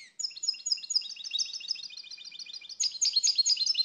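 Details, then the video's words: Continuous bright twittering song of the European goldfinch, quick high notes rattled out without a break, growing louder and more trilled toward the end. "Canto do Pintassilgo Português, pássaro com canto bonito (Carduelis Carduelis)"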